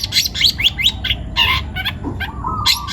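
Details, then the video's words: Long-tailed shrike, young and wild-taken, singing hard: several fast rising squeaks, a harsh grating burst, then a buzzy low trill and high whistles within a few seconds. "CENDET PASTOL MUDA HUTAN (MH) GACOR BUNYI"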